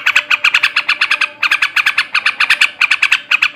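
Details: Short burst of fast, buzzy chattering notes from a male sooty-headed bulbul in ngebrem ngekek style, used to stimulate breeding; clusters of four to six notes separated by brief pauses.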